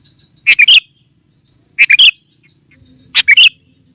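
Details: Sooty-headed bulbul lure call meant to draw in wild rivals: three bright bubbly phrases of three quick notes each, spaced roughly every one and a half seconds, over quiet background.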